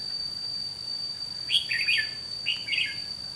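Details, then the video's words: Red-whiskered bulbul used as a trapping decoy utters two short, bright warbling phrases about a second apart, each a quick cluster of slurred whistles, above a steady shrill background tone. "Bẫy chào mào Mồi Má lỡ ra trận gặp ngay hàng Cứng"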